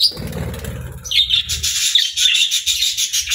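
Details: Happy budgerigar chirping and singing: after a second of low thumps, a steady stream of high, fast twittering chirps runs unbroken to the end, with soft knocking underneath.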